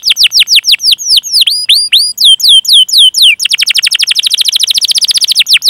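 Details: Singing canary, chirping and rolling, recorded as training material to draw song from young canaries or birds that have stopped singing: a string of slurred, sweeping whistles, then an even, very rapid trill held for over two seconds.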